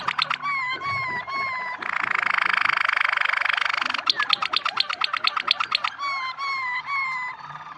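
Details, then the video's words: Yellow Waterslager canary song alternating clear falling whistled tours with loud, rapid rattling trills and dense bubbling rolls, plus a short burst of sharp repeated notes. "yellow watersalger singing nicely غناء کنری الأصفر بشكل جيد"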